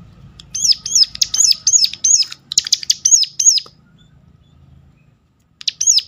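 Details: Sharp calling of a Sunda warbler, used to stir other birds of its kind to sing more: a quick series of high, downward-hooked notes, a silent stretch, then the series resumes.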